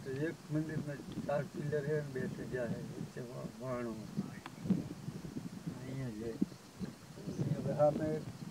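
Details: A close group of Greylag geese at Little Rann of Kutch, Gujarat, India, in January 2020, keeps up continuous overlapping honking and nasal gabbling, many short calls running together throughout.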